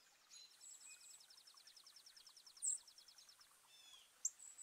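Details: Garden birds at New Jersey feeders, northeast USA, 5 April 2024, partly cloudy, 36 to 50 F, on the day of a 4.8 magnitude earthquake; a fast, high, even trill of about twenty notes lasting two seconds, then sharp clicks and thin chips.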